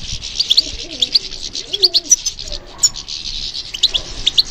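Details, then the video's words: European goldfinch singing in response to stimulation: quick, bright twittering chirps with sharp high notes, sounding in rapid bursts, while lower, softer, sliding coo-like tones run underneath. "How to encourage the goldfinch to respond to stimulation"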